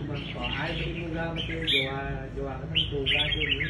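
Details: Red-whiskered bulbul showing its fighting manner at a bird contest: bright, chirpy warbled phrases in quick bursts, with people talking underneath.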